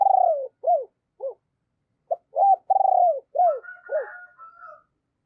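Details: Decoy spotted dove cooing and urging in a deep, husky voice, used to lure other doves. Short arched coo notes come in an uneven series, then a faint higher tone trails off near the end.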